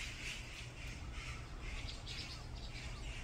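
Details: Brown-eared bulbuls fighting in a group on a mountain: harsh, screechy squawks in quick overlapping bursts from several birds, over a steady low rumble.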